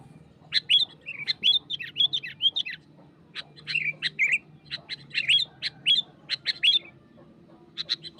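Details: Wild sooty-headed bulbul in spirited song toward a rival: a rapid chain of sharp chips and slurred whistled notes, then a pause and another quick run, ending in scattered chips, low hum behind.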